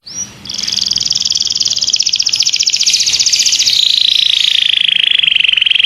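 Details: Domestic canary delivering a masteran song meant for tutoring other birds. After a brief upward whistle, one sustained, fast, buzzing roll runs for several seconds, easing gradually lower in pitch toward the end.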